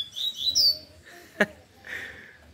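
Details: A young Lined Seedeater, recently out of moult and kept at home in Recife, Pernambuco, sings high, sweet slurred notes then a buzzy trill, sounding just like the 'lapada' song type; a man speaks faintly.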